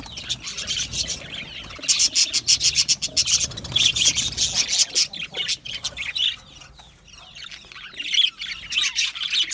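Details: Budgies in an aviary chirping: busy high-pitched chatter, loud rapid bursts of clicks and squawks in the middle, softer warbling near the end.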